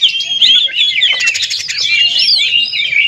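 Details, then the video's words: Oriental magpie-robin singing to provoke other magpie-robins, a brief dense burst of overlapping whistles, quick slurred notes and a short buzzy rattle, steady and loud throughout. "PANCINGAN KACER TERAMPUH DIDUNIA"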